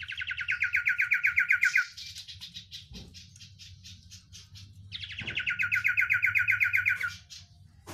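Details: Oriental white-eye delivering its song, described as overflowing with "isian" fillers: two rapid trills of clipped notes about five seconds apart, each followed by softer high twittering, over a steady low hum.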